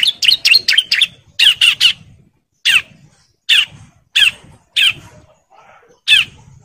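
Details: Breeding male bar-winged prinia calling to females: quick clusters of sharp chips at first, then a series of loud, separate harsh rasping notes spaced about half a second to a second apart.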